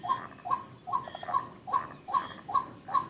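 White-breasted waterhen repeating a hollow, two-part croaking note about two and a half times a second, steady and monotonous, over a thin high insect hiss.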